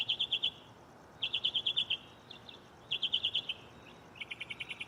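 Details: Mockingbird in a tree close by at night, singing repeated bursts of five to seven quick, high, clear notes about every second and a half, then changing to a slightly lower, softer series, with hiss underneath.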